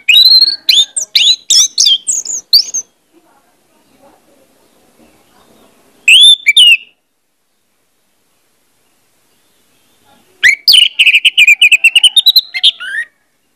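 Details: Orange-headed thrush song played as a lure to prompt singing: a long tumbling run of varied whistles and chirps, a brief phrase mid-way, then another extended rapid sequence of clear whistled notes after a silence.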